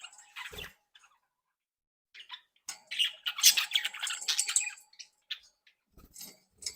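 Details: Playful captive budgerigars in a home breeding flock chattering indoors: a few scattered squeaks, then a long dense run of warbled, buzzy and squeaky notes, tapering to single chirps.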